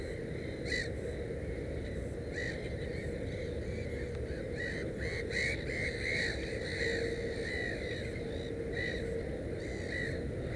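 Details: At a nest with three chicks, a Black-headed gull utters repeated rasping calls, irregularly spaced at roughly one or more per second, set against persistent low-frequency background noise.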